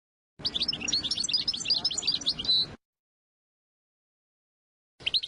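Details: Tutoring song of a European goldfinch, meant for young birds learning to sing: a rapid two-second run of high, jangling twitters ending in a drawn-out buzzy note, then silence and a new phrase starting.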